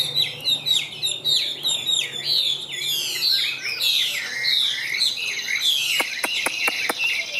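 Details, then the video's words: Caged Chinese hwamei of the Tam Hoàng form singing a fast, high, varied song of sweeping whistles and trills; toward the end several sharp clicks or taps sound among the phrases. "Họa Mi Tam Hoàng - Hót Cao Cầu, Dáng Dấp Quá Đẹp - Hót Hay Treo Ra Là Bắn"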